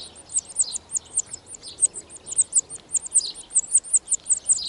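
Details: Wild European serin at its nest in spring 2018, early brood: a fast, continuous run of very high, squeaky chirps, several each second, with softer lower notes mixed in.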